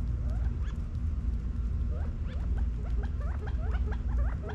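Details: Backyard California quail in Las Vegas, Nevada, fall 2022, feeding and running about: sparse soft chirps at first, then a quickening series of short rising notes, with a continuous low-pitched background rumble.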